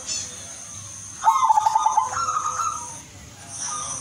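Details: Zebra dove, Udanmas Silver variety, singing a melodious lure song for other zebra doves: a quick staccato trill of about a dozen pulsed coos, then a slightly higher drawn-out phrase, over faint continuous high hiss.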